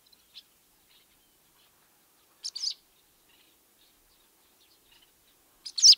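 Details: Barn swallow chattering: a faint chip, then a scratchy double burst and a louder final cluster of high, harsh twitters, with quiet gaps between.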